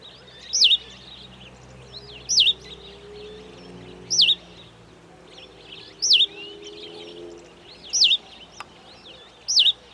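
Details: Cape sparrow calling: a high, swooping chirp that dips and rises, repeated six times at steady intervals of nearly two seconds, with a faint low hum underneath.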